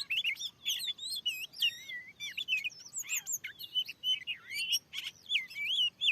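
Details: Very aggressive wild Oriental magpie-robin singing toward a lure on newly cleared land. Sweet, looping whistled phrases alternate with crisp chips in quick, evenly paced bursts.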